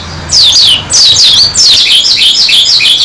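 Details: Oriental white-eye of the dakun type in energetic song: shrill, high chirps slurring downward, given in quick bursts that run together into a continuous chatter.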